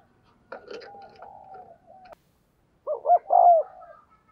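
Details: Caged decoy spotted dove cooing to spur others into calling: soft rough opening coos with a faint rustle, silence, then two quick hoots followed by a fuller falling coo.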